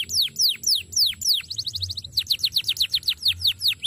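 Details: Canary master song recording: several loud falling whistled slurs about every third of a second, followed by an even, rapid chain of short descending notes.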